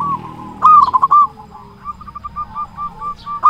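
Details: Local zebra dove with a big voice, used as lure to make doves sing: a loud clipped burst of coos followed by a slow string of evenly spaced soft coo notes, ending on one sharp note.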